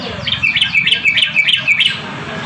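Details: Yellow-vented bulbul, called trucukan garuda, giving a quick series of bright, clear chirps. Higher and lower notes alternate about three times a second over a low background rumble.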